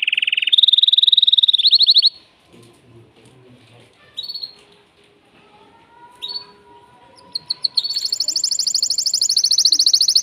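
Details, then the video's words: Caged male canary singing excitedly to arouse a female for mating: a rolling trill opens, a quiet stretch with faint low sounds and brief chirps follows, then a high rapid trill returns. "تغريد ذكر كناري هائج يريد تكسير القفص يحفز الأنثي لتزاوج"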